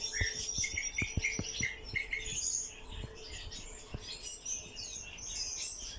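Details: A pet nightjar kept indoors gives thin, high chirps and squeaks in irregular bursts, about two or three a second, over sharp tapping clicks and a steady low hum. Its owner says it calls like this all day.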